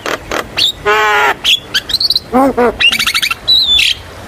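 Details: Javan myna song meant to draw out young birds: a mix of nasal harmonic notes, grating low calls, quick stuttered chips and clear high whistles.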